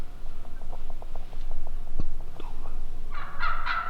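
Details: Turkey calling: soft, evenly spaced clicking clucks for three seconds, one sharp knock, then a loud burst of raspy yelps at the end.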